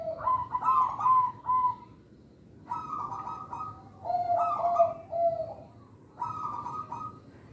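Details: Local zebra dove, used to lure young birds, giving repeated phrases of rapid pulsed coos. Each phrase alternates between higher trills and lower purring notes, with short pauses between them.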